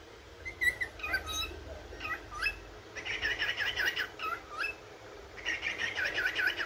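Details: Yellow cockatiel chirping in the morning, heard softly: scattered upward-slurred whistles, then two runs of rapid wavering warbles, against a quiet background.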